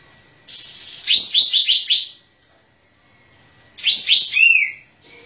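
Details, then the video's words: Sooty-headed bulbul, singing energetically with tail spread, gives a bubbly cascade of five falling notes and later a shorter three-note phrase ending in a slur; a hiss precedes each phrase. "Masteran Kapas Tembak"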